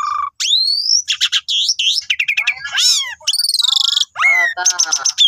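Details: A captive Asian pied starling sings a rapid, varied medley of clear rising whistles, buzzy rattles and harsh chattering notes, delivered almost without pause. The song is offered as a vocal-training model for other birds.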